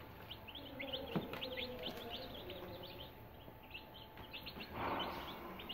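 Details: Three-day-old desi chicks peeping: high, thin, short chirps with a slight downward sweep, repeated rapidly and overlapping throughout, over a steady faint hum and low background rumble.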